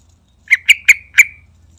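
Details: Lively yellow-vented bulbul lure call: four loud, bright, bubbly chirps in quick succession over about a second, each ending in a short trailing whistle, against a quiet low hum.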